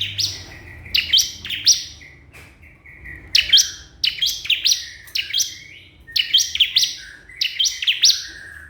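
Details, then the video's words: Bar-winged prinia calling out to a rival, meant to stir other prinias into song: quick clusters of bright, high, falling chirps in threes and fours, repeated roughly every second, with a faint low hum beneath. "cikris/ciblek kristal gacor memanggil lawan"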